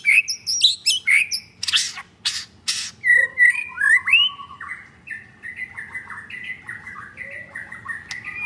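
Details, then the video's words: Caged male white-rumped shama, F4 blorok, Jakarta, Indonesia: loud harsh chattering bursts open the song, then clear whistled slurs and a run of softer warbled notes. "Jual Murai Batu F4 Blorok Materi Kasar"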